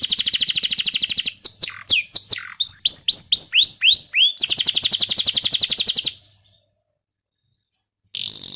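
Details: Canary training song meant to prompt young birds and silent canaries to sing: a buzzy rapid trill, then sweeping slurred notes, another long fast roll, a pause of near silence, and a trill resuming.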